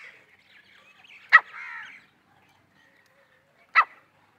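A Grey Francolin gives two sharp, harsh notes about two and a half seconds apart. A short rasping, buzzy phrase follows the first note.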